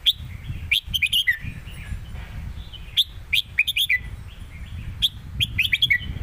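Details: Red-whiskered bulbuls dueling in a cage-bird singing contest, southern song style: quick clusters of clear, liquid whistled notes, phrased in bursts about every two seconds, with low continuous background rumble.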